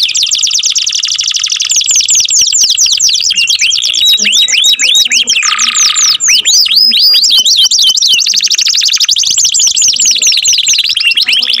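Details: Melodious canary song, long and loud: rapid high trills alternating with falling whistled sweeps and a short buzzy section, notes repeated about four per second.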